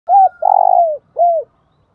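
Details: Spotted dove giving a 'thúc bổi' and 'gáy gọi' style coo: a short low hooting note, a longer pulsed, throaty coo sliding down at its end, then a final falling coo after a brief pause, in quiet surroundings.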